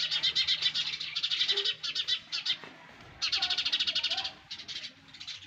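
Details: Nestling sparrows make loud, fast, buzzy chirping in long rattling strings. The chirping stops for a moment near the middle and then starts again just as intensely.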